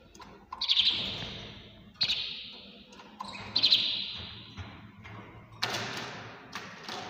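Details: Early-morning canary song, with high trilled bursts roughly every one to two seconds, then a broader noisy rush near the end, over a faint low hum.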